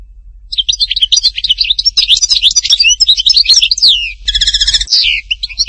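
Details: European goldfinch from Htatba, Tipaza, delivering a continuous, rapid, high jumble of twittering notes, trills and downward-sliding whistles, ending with a harsh nasal buzzy note and more twitters.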